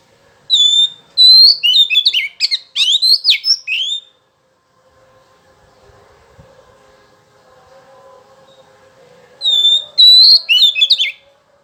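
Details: Oriental magpie-robin song used as a lure to make males respond: a clear steady whistle opening into a quick jumble of sharp chirps and slurred notes for three seconds, a long pause, then the whistled phrase returns.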